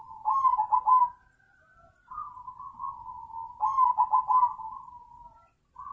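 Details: Zebra dove song, two rolling trilled coo phrases each trailing into a long even purr, with a brief silence between the phrases.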